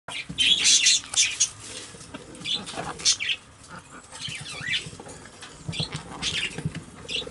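A monk parakeet chatters in scratchy, high bursts, mimicking the human phrase "I love you."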